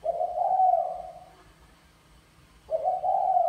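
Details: Male spotted dove of the mã phấn type calling to court a female in the bài lối style: a low, hoarse cooing phrase lasting over a second, a pause, then another phrase begins.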